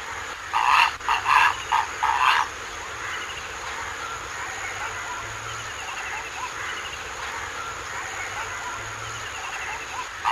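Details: Purple heron giving four loud, harsh, rasping croaks in quick succession over the first two and a half seconds, then a quieter stretch of steady background hum with faint, thin bird twittering and one more harsh note at the end.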